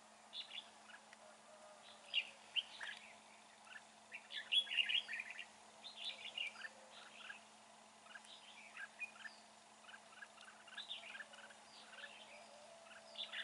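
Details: Under gloomy, overcast weather a red-whiskered bulbul sings from a fighting trap, giving dense, rapid chirruping phrases, bright and varied, almost continuous, several overlapping bursts over the span.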